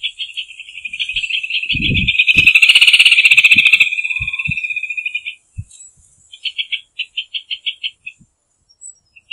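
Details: Rufous hornero song: a long, rapid, ringing trill of sharp notes that swells in loudness for about five seconds and breaks off, then a slower run of separate clipped notes. A few low thumps sound early on.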